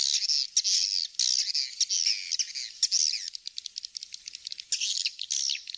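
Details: Swiftlet call recording played to attract swiftlets: dense, rapid high chirps and twitters in a fast irregular stream, with brief gaps and short sharp clicks.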